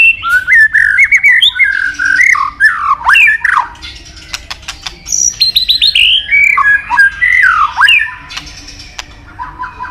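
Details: White-rumped shama, a bird much sought by songbird hobbyists, delivering a rich, varied song of rapid whistled phrases, sliding mid-pitched notes and sharp high clicks, with loud bursts separated by brief quieter gaps.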